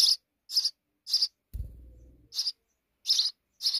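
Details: Sparrows at a nest in a wall: evenly spaced, bright chirps roughly every half second, interrupted once by a dull low thump and scraping.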